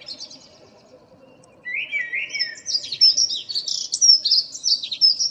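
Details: Common blackbird, a local bird singing in the morning in April 2013: a brief low fluted motif followed by a long run of high, squeaky twittering notes.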